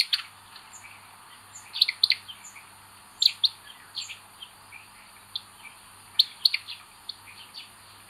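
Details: Common buzzard chicks in a nest, with the eldest chick acting aggressively, recorded 25 May 2022: short, thin, high chirps come singly and in quick doubled bursts at irregular intervals over a faint steady hum.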